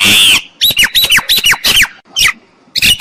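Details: Lure recording of a myna: a loud rasping squawk, then a rapid cluster of sharp, falling, whistled notes and a few scratchy calls in quick succession.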